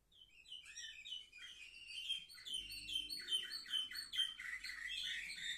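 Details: Seven-month-old Orpheus canaries, young birds of 2023, recorded 10 November 2023, singing a bright, fast song of trills and rolling chirps in rapid runs, with a low hum in the background.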